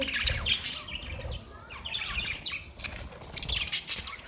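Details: Mixed budgie twittering, rasping chirps and quick warbled notes arriving in loose bursts, with low thuds and rustling in the background.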